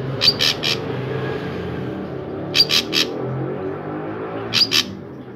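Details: Drongo in lively song for luring other drongos to sing: three bouts of harsh, scratchy triple bursts come roughly every two seconds against a constant low background murmur.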